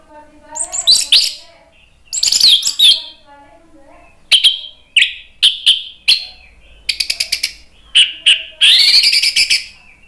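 An orange-headed thrush sings loud, varied phrases of rich whistles, rapid stuttering notes and rising slurs, broken by short pauses, with no other sounds.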